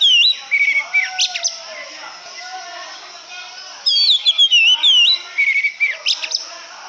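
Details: Oriental magpie-robin sings bright whistled phrases with rising and falling slurred notes, quick trills and sharp chirps, in two bursts separated by a quieter stretch.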